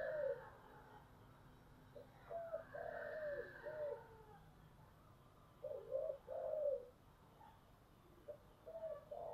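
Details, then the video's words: Spotted dove singing in the giọng thổ style: low cooing phrases with a rolled middle note, repeated several times over a steady background hiss and faint twittering. "cu gáy giọng thổ"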